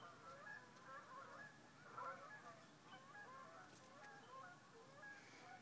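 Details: Geese honking over wetlands at sunrise on a November Sunday morning in 2011. Many birds call together in an irregular chorus of short nasal honks, with one stronger burst near the middle. Faint outdoor ambience lies beneath.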